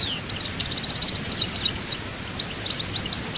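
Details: Goldfinch in Chaayba song style from Souk Ahras, Algeria: a long, fast twittering sequence of high chirps with a steady repeated-note passage, somewhat quiet against background hiss.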